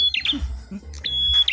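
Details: Ashy tailorbird, called prenjak kepala merah or prenjak klawu, singing in a fighting contest: two long level high whistles, each ending in a quick dropping twitter, with low voices and hum beneath.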